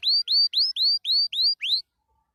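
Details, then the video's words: Canary singing happily, producing seven quick, loud rising whistled chirps in an evenly spaced series, each note sweeping upward, followed by silence. "Watch the canary sing happily"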